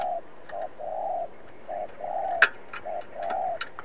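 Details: Decoy spotted dove calling to lure rivals during trapping: soft low coos in short-long pairs, fairly distant, with sharp clicks and taps in the background.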